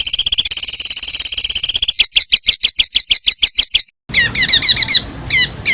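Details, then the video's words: Small bird's harsh bursts for tutoring contest songbirds: a loud, very high fast trill, then sharp slurred notes about three per second, repeated again over faint hiss. "SUARA BURUNG KECIL TEMBAKAN KASAR"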